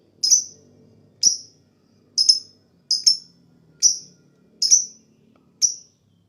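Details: Lovebird sounds used as therapy to stimulate rival birds to chatter quickly: short, sharp, high chirps, each with a brief downward tail, given singly about once a second at an uneven pace. The background is quiet apart from faint low rumbles.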